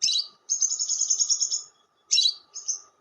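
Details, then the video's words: Long lovebird chatter ('ngekek panjang') for luring birds: a harsh chirp, then a sustained shrill, fluttering trill of over a second, followed by another rough burst and a short high trill, with a low steady hum. "SUARA PIKAT BURUNG LOVEBIRD"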